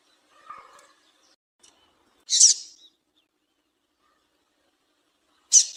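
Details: Female double-collared seedeater call used to get a male singing: a faint low rustle, then a sharp, high scratchy chip, and after a long silence another chip cut off at the end.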